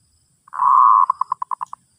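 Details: Zebra dove song played to teach a new bird: a steady, rolling mid-pitched coo lasting about half a second, then about seven short staccato notes in quick even succession, over a near-silent background.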